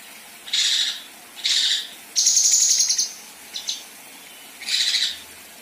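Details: Mixed 'besetan' and rough 'tembakan' from a female kinoi, for tutoring competition birds: two short rasping bursts, then a high thin rattling trill, a brief double buzz and a final harsh burst, separated by short silences.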